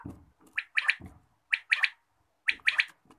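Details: Quail calling in the morning: a sharp three-note phrase, one note then a quick pair, repeated about once a second; low thumping noises in between.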